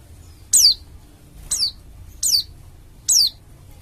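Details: Bali dakun oriental white-eye, a bold singer used as a lure so other white-eyes open up and sing: four piercing downslurred whistles, roughly one per second, each short and bright, with low faint hum beneath.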